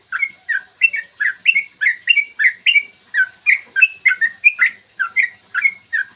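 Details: Yellow-vented bulbul's long, clear morning song, played to rouse bulbuls to sing and fight. Steady, evenly paced series of rich, warbled whistles, each note bending up or down, about three per second, over a faint constant hum.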